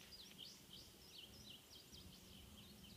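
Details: Indigo bunting at Harriman on 5/9/15: a series of high, thin, sharply slurred notes, several given in pairs and repeated at an even pace, over a soft low hum and steady background hiss.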